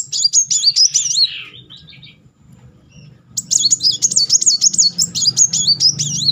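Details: Rolling, nonstop Brown-throated Sunbird song meant to provoke a quiet bird: shrill, fast zigzag trills, a short burst, a two-second pause, then a longer run, with a low background rumble.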